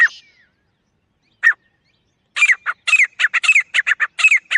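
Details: Francolin (teetar) in jungle, natural recording; a short whistled downslurred note, one isolated sharp call, then a dense quick sequence of harsh scratchy notes.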